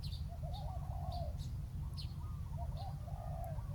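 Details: Spotted dove calling a wild bird down to a ground decoy, a faint run of soft, rolling coo phrases repeated twice, while sharp high chirps from other birds and a heavy low drone fill the background.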